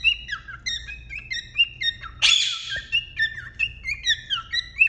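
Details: Male cockatiel stimulating the female to mate inside the breeding box: a string of clear, warbled whistled phrases with rising and falling slides, broken once by a loud harsh screech, in a small indoor room.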